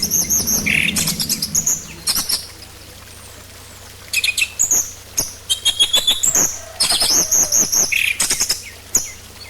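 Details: Orange-headed thrush song played as a lure for singing: lively continuous phrases of high thin whistles, clicks and short buzzy notes with brief pauses, over a low steady hum.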